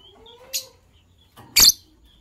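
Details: Morning chirping from a green pair of Fischer's lovebirds: a brief high squeak, then a louder, harsher shrill chirp a second later, with faint thin whistled tones beforehand in a quiet room.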